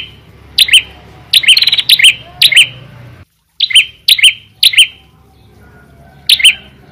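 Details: A red-headed prinia in full song gives loud, sharp, slurred chirps, single or in quick pairs, at an uneven pace with a short pause midway, over a faint low hum.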